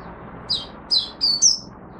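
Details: Oriental white-eye recorded in Singapore on 23 March 2023, humid, warm, rainy and overcast; four short, high, slurred chirps in two seconds, the last one rising and sharper, over faint low hum.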